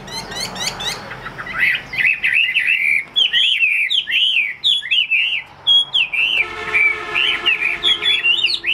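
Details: Chinese hwamei kept in a cage for sale in Vietnam gives a long, varied run of rich whistles, rising and falling slurs strung quickly together, opening with sharp high chips; low steady hum underneath near the end.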